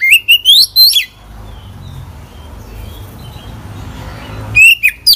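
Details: Oriental magpie-robin singing a mimicry-filled song: a short run of rising whistles and sharp chirps, then several seconds of near silence with low background rumble, before another brief whistled phrase.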